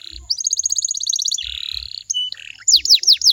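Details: Canary lure song to draw replies from other canaries: a rapid rolled trill of high notes, then a buzzy tour and a short whistle, ending in several loud falling notes, with low thumps.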